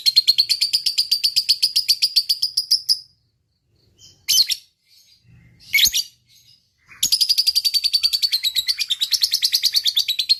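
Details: Lovebird in fighting mood: three seconds of rapid high chattering, a pause with a few sharp single calls, then the long fast ngekek trill starts again.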